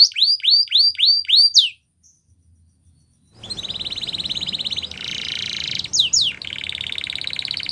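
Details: Canary singing to encourage other canaries to sing: a run of six bright, downward-swooping whistles, a pause, then long buzzy trills and rattling phrases over steady hiss.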